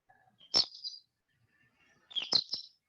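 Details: American goldfinch flyover flight calls in December in Yolo County, California, a "dee dee dee" call: two brief bursts of high, sweet, chirpy notes about a second and a half apart, with nothing else heard.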